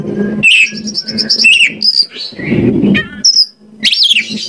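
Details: Kacer, the Oriental magpie-robin, in song meant to provoke other birds into singing: fast varied phrases of high whistles, buzzy chatters and downward-slurred notes over a steady low hum and muffled background noise.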